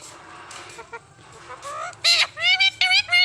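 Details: Indian ringneck (rose-ringed parakeet) talking in Urdu/Hindi, saying "Mian Mithu": high, nasal, speech-like voice, a few quick run-together syllables, then louder, clipped words toward the end.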